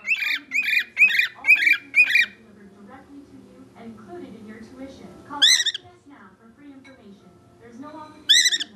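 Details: Caged pet bird calling for attention: a burst of five harsh whistled notes, a long stretch of low background voices, then two single rising whistled squawks several seconds apart.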